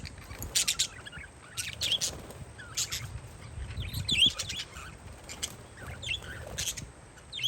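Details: Parakeets outside in windy weather: loud high chirps in pairs and small clusters, mixed with softer twittering notes, while low gusts of wind rumble underneath throughout.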